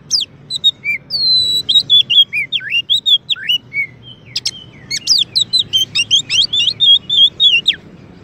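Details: Champion Oriental magpie-robin singing as a master for training and provoking white-rumped shamas: a long flowing series of clear whistles, deep swooping slurs and high chips, speeding into a dense run of varied notes near the end.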